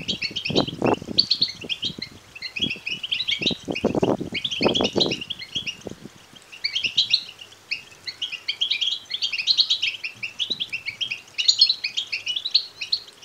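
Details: Natural begging of European goldfinch chicks: a steady wall of shrill, twittering chirps from many nestlings, with loud handling bumps during the first six seconds, then cleaner chirping.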